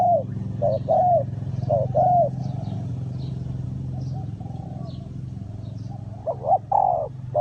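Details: Spotted dove calling to lure wild doves into a trap. Hollow coos open and close the clip, with a steady low engine-like rumble throughout and a quieter stretch in the middle.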